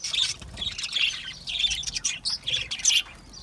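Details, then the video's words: Chattering budgerigars with high, squeaky chirps and brief whistles tumbling over one another, slightly sparser toward the end, where the sound thins to a quieter murmur. "Budgie chirping sounds"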